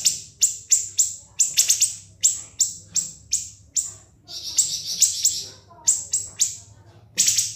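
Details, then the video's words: Siri-siri, with its long, continuous song for teaching cage birds, gives evenly spaced piercing high notes, then a warbling buzzy stretch, and closes on scattered sharp shots. "MASTERAN BURUNG SIRI-SIRI NGEBREN SUPER PEDAS TEMBAKAN TAJAM & SUPER PANJANG"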